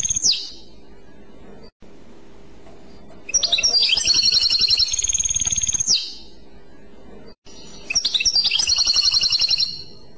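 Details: European goldfinch delivering clochette song, two bursts of quick, high, tinkling twitter mixed with thin trills, separated by a quieter stretch with faint background hum.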